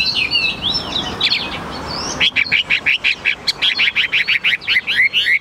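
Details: Chinese hwamei kept caged in Vietnam, singing high: soft varied warbling, then a loud, steady run of about fifteen repeated looping whistled notes, several per second.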